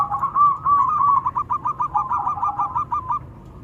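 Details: Male and female local zebra doves calling in exchange: a continuous string of fast, regular staccato cooing notes, roughly three per second, steady in pitch across the clip, with low background hum.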